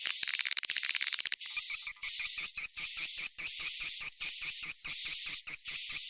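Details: Swiftlets calling the young in a stereo recording. Dense, high, buzzy chittering comes in pulsed bursts, with frequent brief breaks and a faint thin whistle over it.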